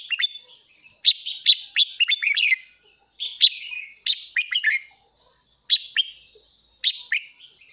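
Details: Caged red-whiskered bulbul singing a morning kích bổi song used to train voices: rapid bursts of bright, chattering, slurred notes with sharp downward sweeps, four phrases separated by short pauses, clean background.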